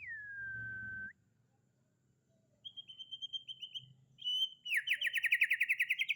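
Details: White-rumped shama, described as a champion bird, singing: a long falling whistle, a pause, a run of bright repeated notes, then a fast loud rising trill of rapid strokes, over a low hum at the start.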